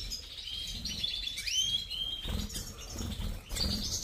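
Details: Subspecies major of the European goldfinch gives a brief high twittering phrase with a clear rising slurred whistle, over soft rumbling background noise.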